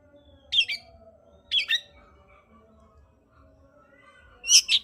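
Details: Long-tailed shrike singing, played to stir a lazy shrike into song: three sharp, grating double notes spaced about a second apart, with low hum and faint mechanical noise beneath.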